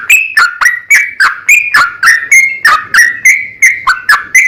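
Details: Sooty-headed bulbul lure recording in the 'ropel panjang' style. Brisk, bubbly fluty notes come rapidly, each opening sharply and trailing off slightly lower.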